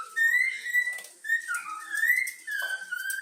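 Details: Young yellow-cheeked cockatiel, trained indoors, whistling the Flamengo anthem: clear mid-pitched whistled phrases, some rising and sliding, in short bursts with brief pauses between.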